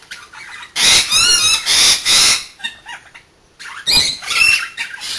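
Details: Two pet Rainbow Lorikeets bathing in turns; loud, strident squeals with rippling whistled tones, a lull, then further rasping squawks and splashes.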